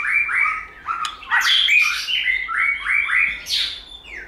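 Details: White-rumped shama singing to stimulate other birds: varied whistled phrases, a series of short descending slurred notes alternating with harsher, higher bursts, with a faint low hum underneath.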